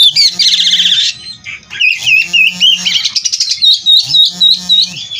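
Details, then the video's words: Captive-bred oriental magpie-robin (kacer) singing energetically in full 'isian' style: a harsh buzzy rattle, then a run of clear rising and falling whistles and rasps, with a low steady hum recurring underneath. "Burung Kacer Gacor Full isian"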